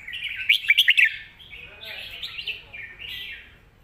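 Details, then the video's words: Red-whiskered bulbul kept for song contests gives a full master song. A quick series of sharp, bright notes gives way to flowing, gently wavering warbles that fade toward the end. "ใส่เต็มทุกดอก"แกนเสียงหนา เพลงแม่บท/นกแข่ง"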